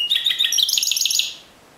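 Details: Discontinuous Timbrado canary delivering a quick, bright rattling trill of rapid high notes for over a second, ending abruptly into quiet.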